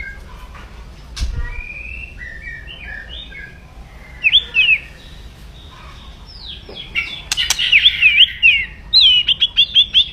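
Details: White-rumped shama, loud crackling song meant to provoke rivals; soft whistled notes at first, then sharp looping whistles and a quick sequence of repeated crisp notes near the end, with quiet low background noise.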